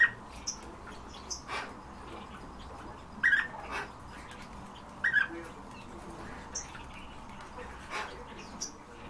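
European bee-eater giving two brief, rolling 'prruip' calls about two seconds apart, over a steady hiss of background noise with a few soft knocks.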